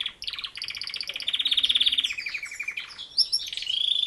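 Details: Singing canary delivering a fast, even rattling trill of rapid repeated notes that drops slightly in pitch, followed by a brief squeaky flourish and another quick rolling trill at the end.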